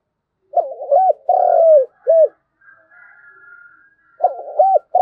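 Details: Spotted dove decoy bird calls the flock with a rhythmic coo: quick hooked notes, a long level coo dropping at its end, then a short closing note. The phrase begins again after a faint thin whistle.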